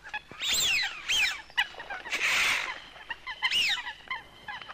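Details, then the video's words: Coot uttering loud, arching, slightly squealing notes in pairs, with a noisy rushing sound in the middle and softer short calls scattered throughout. "Coot best voice call"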